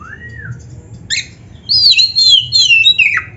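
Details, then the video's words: Kacer (oriental magpie-robin) singing: a soft rising-falling whistle, a brief harsh note, then a sustained bright high whistle wavering downward in stepped slurs, set against a faint low hum. "SUARA BURUNG KACER GACOR FULL MATERI"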